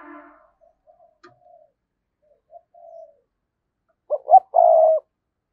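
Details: Decoy spotted dove prodding and calling to draw in wild birds, starting with faint scattered coos, then a loud burst of two short notes and a long, level final coo.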